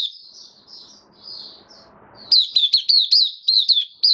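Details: White-eye kept caged, singing 18 May 2022 after completing deworming. Soft thin warbling over low hum opens, then at about two seconds loud, quick, high down-slurred chirps begin in a lively run of about eight notes.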